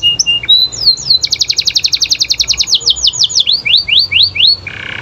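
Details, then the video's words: Canary singing hard to draw replies from other canaries: a few whistled notes, then a dense rapid trill and a run of slower rising slurred notes ending in a buzzy chatter. "Suara Kenari Gacor Bikin Kenari Lain Terpancing Untuk Nyaut"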